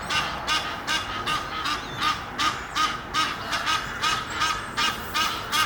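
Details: Egyptian geese, a pair courting high in a tree near Henley upon Thames, repeat hoarse, regular honks roughly every third of a second, a clear pulsing series against low steady background noise.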